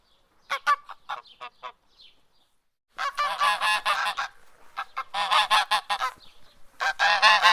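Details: An angry farm goose gives loud, nasal, braying honks, first a few short notes, then long runs of rapid repeated blasts.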